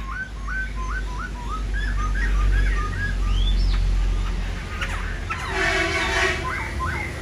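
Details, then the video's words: Black-throated laughingthrush fanning its wings and tail as it sings: quick runs of short, rising whistled notes repeated several times a second, then a higher swooping whistle, with bursts of harsh broadband noise midway and a steady low hum throughout. "Khướu bạc má múa cánh xòe đuôi quá đẳng cấp"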